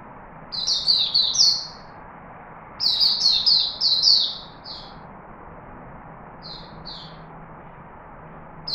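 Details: Chickadee recorded in Singapore on 4 March 2021: two quick runs of high, chirpy, downward-sliding notes, then a few isolated chirps near the end, with a faint low hum underneath.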